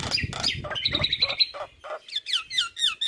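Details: Javan myna tutor song: creaky notes over low rumbling noise, a quick series of high repeated whistles, then several downward-swooping whistled notes.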